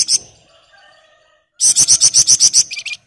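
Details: Sunda bush warbler in steady song: a high thin note, then a loud, dense run of about ten rapid piercing notes, closing with a few lower, softer notes.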